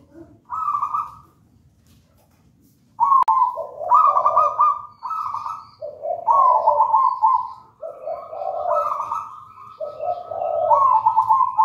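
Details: Zebra dove from a wild local line, nest-taken from a raja banana plant, cooing persistently: rippling trilled phrases alternate with lower, rounder coo notes in a near-continuous sequence after a short opening phrase.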